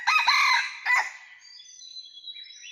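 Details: Red junglefowl living wild among rocky mountains, recorded during trapping on 17 March 2019: the coarse, strident tail of a crow ending in a short final burst, followed by thin high insect buzzing.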